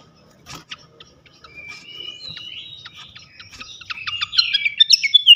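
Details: Lure song of a flycatcher, meant to provoke rival flycatchers. Thin sliding whistles start softly, then build into a louder, rapid series of clipped, rising chirps at the end.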